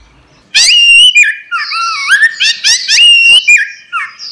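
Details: Orange-headed thrush (anis merah), a caged songbird, singing a training song: loud whistled phrases with sweeping slurred notes between mid and high pitch, several quick varied notes in a row over a quiet room.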